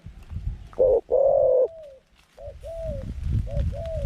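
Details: Decoy zebra dove with a medium-pitched voice, calling to bring wild doves into a trap: a clipped note and long rolling coo, followed by a series of short arched slurred coos over rumbling background noise.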